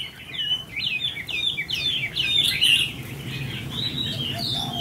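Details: Trainee decoy red-whiskered bulbul with 'fire eyelids', kept for bird trapping, having its temperament tested: bright chirped and warbled notes tumble in a quick, busy run, rising and falling, with low background rumble.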